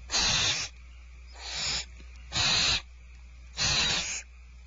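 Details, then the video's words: Barn owls being fed at Starr Ranch, 2/1/12. Three loud, hoarse hissing screeches and one softer one, each about half a second, are separated by pauses of about a second. "Starr Ranch Barn Owls Dinner is served"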